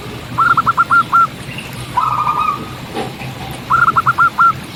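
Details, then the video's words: Local zebra dove in the wild singing clear, fast bursts of bubbly cooing notes, five to six per phrase, with one phrase at the start and one at the end and a softer burr between them. "Perkutut Lokal Gacor Audio Jernih Tanpa Noise"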